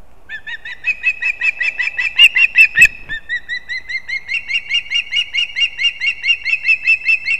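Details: Nestling ospreys competing at a nest in Kurzeme, Latvia, dated 11-9-24. Rapid whistled chirps run throughout, broken briefly by a loud rustling clatter, then resume as a rising, steady series.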